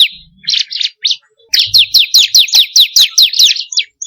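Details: Lure song of a 'kristal' bar-winged prinia: several separated chirps, a brief pause, then a long steady string of piercing downslurred notes about six per second.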